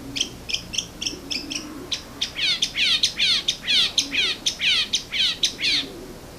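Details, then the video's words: Birdsong in the morning with rapid repeated notes, several birds overlapping into a steady rhythmic chorus of descending chirps roughly twice a second. "Bird Singing"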